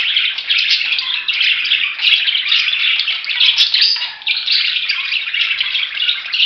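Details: Many budgerigars chattering at once: a steady, hissing mass of high twittering that barely dips throughout, with a few sharper clicks standing out.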